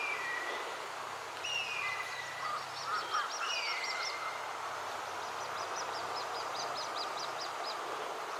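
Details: Little grebe chicks begging for food while parents dive repeatedly to feed them: rapid, very high thin peeps in quick series, with a few lower slurred whistles early on, over a steady rushing background.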